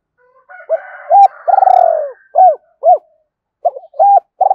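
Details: Spotted dove cooing, used to lure and stimulate other doves: short arched hoots mixed with one long, buzzy, falling coo, then more clipped hoots after a brief pause; a faint higher tone lingers early.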